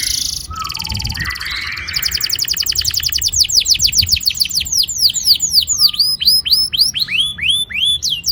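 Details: Long rolling canary song meant to stimulate young canaries to sing: rapid repeated whistled sweeps in trilled series, changing speed and pitch, with buzzy bursts early and looping rising notes later.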